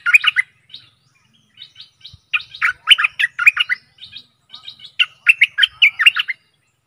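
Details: Stripe-throated bulbul gives bright, bubbly chirping phrases in quick bursts of jumbled short notes, repeated with brief pauses for about six seconds; recording from 12/12/2021, used as a lure call for wild birds.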